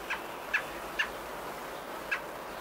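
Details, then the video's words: Nest of robins on day 19, 27 May 2018, as babies are fed: four short chips, three close together in the first second and one after a pause, with quiet hiss behind. "Robin Birds feeding their babies"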